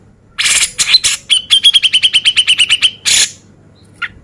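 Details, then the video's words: Male Grey-cheeked Bulbul, beset ngepik style, recorded as a tutor for contest birds. Rough opening bursts lead into a rapid, even run of about fifteen sharp ticking notes, a final harsh burst, and one faint note. "Cucak Jenggot Gacor Mewah Beset Ngepik"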